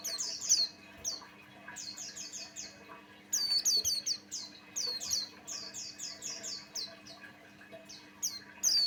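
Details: Male Buxtoni white-eye in full song, played to provoke other white-eyes into singing: rapid runs of thin, high, downslurred chirps, grouped in lively bursts with brief gaps, over low constant background hum.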